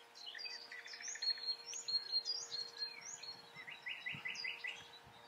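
Eurasian wryneck giving short runs of quick, nasal, slightly rising notes, with high chirps from other small birds and a faint steady hum.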